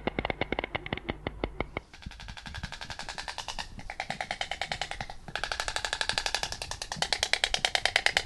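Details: Rhythmic drum and wood-block percussion music plays, shifting to rapid, even beats, with no animal voice heard.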